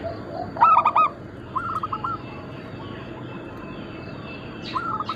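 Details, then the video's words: Local zebra dove, Bangkok cross, used as lure and training material: a loud burst of two or three rapid coos, then fainter rolling coo phrases, with another distant dove answering near the end. "Perkutut lokal gacor - Pintar Mengundang Bunyi semua jenis burung kutut Lokal bangkok crossing"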